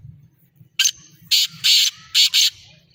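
A Black francolin gives a harsh, grating call of five rasping notes in about two seconds, with a faint low hum behind.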